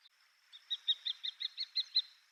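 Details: Common kestrel, a resident bird in Japan filmed between Yonaguni Town and Saitama Prefecture, gives a rapid, sharp kee-kee-kee series of about eight high notes, roughly six per second, over a faint steady background hiss.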